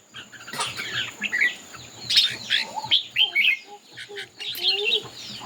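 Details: Contest singing by a red-whiskered bulbul: a steady run of sharp, bright chirps and quick whistled phrases, fairly continuous, with faint lower notes in the background.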